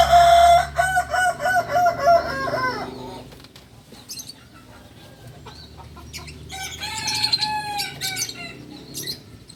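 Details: Kukuak balenggek rooster from Solok, West Sumatra, a native chicken known for crowing in many tiers. Rapid stepped crow of short repeated syllables for three seconds, then wing flapping and clicks, then another broken harmonic crow burst.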